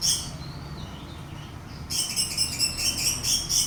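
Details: Orange-headed thrush singing to provoke another bird: a faint, thin warbled note at first, then a sudden loud run of fast, chattering high notes that continues to the end.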